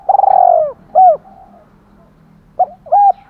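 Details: Decoy spotted dove with a 'thổ pha' voice calling to urge a fight. A rolling, purred coo is followed by a single short hollow note, then silence, then a pair of clipped coos.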